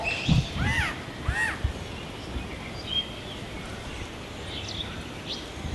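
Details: Nesting oropendolas behind a house in Sabanilla, San José, Costa Rica on 8 April 2017 give liquid, arching gurgles twice in the first two seconds, then thinner whistled notes, over a steady low outdoor rumble.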